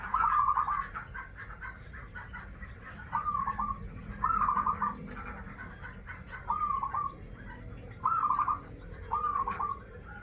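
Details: Zebra dove (local perkutut, Banten) singing six short trilled coo phrases about a second apart, each a fast rippling run of soft notes that steps down at the close, with faint background noise.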